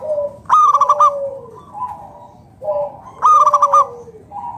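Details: Zebra dove, local wild type, singing as a lure: two stuttering phrases of quick coos about three seconds apart, with mellow lower coos before and after each.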